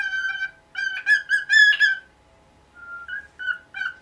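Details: Pet cockatiel in its nineteenth year, calling noisily in the morning to get the cloth over its cage removed: loud, harmonic whistled squawks in a rough string, a brief pause, then softer rising whistles.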